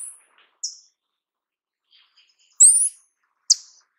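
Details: Sete-cores-da-amazônia (paradise tanager) producing sharp high ticks and one longer, rising, buzzy whistle, with faint soft chips in between.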